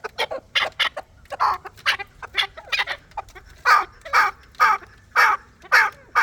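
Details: Chukar partridge sounding a series of abrupt, hoarse chuk notes at roughly two per second, with the later notes louder and more evenly spaced.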